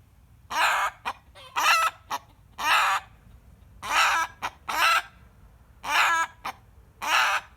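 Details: Rooster screaming in reaction to a hen cackling: loud, harsh, broadband squawks about half a second long, each often followed by a short clipped note, repeated in pairs every second or two over a quiet background.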